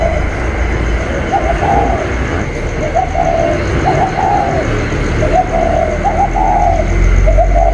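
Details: Spotted dove cooing in a calling contest with a wild bird, recorded 27/10/2022: low, soft, rolling coo phrases repeated every second or so over steady broadband background noise.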